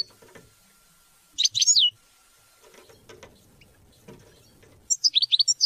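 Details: A European goldfinch gives one twittering phrase, then soft faint ticks, then a quick run of rising tinkling notes. The song is meant to teach and motivate hunting and mating.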